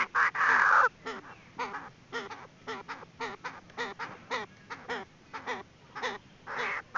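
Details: Lure call of a female Chinese francolin used by trappers: a long harsh grating note opens, then clipped, bending harmonic notes repeat at an uneven pace before another rough burst.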